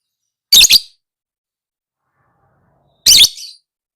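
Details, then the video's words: Lovebird calls from a masteran recording made to train other lovebirds to sing actively: two harsh, shrill double chirps, the first about half a second in and the second near three seconds, each short and buzzy, with silence between. "Suara Burung LoveBird~for~ Masteran(biar gacor)"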